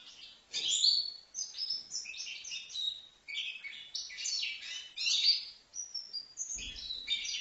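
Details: European goldfinch, a young bird of five months in Livno, pouring out a continuous jangling twitter of high, rapid, liquid notes and buzzes, with a soft thump near the end.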